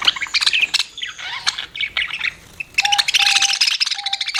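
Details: Budgie twittering in quick, clicky chirps and warbles, with a steady faint tone in the background during the later chatter.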